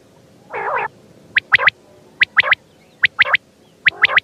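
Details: Quail (batair) calling: crisp, high, clipped three-note phrases repeated about every 0.8 seconds after a short, lower warbling burst at the start.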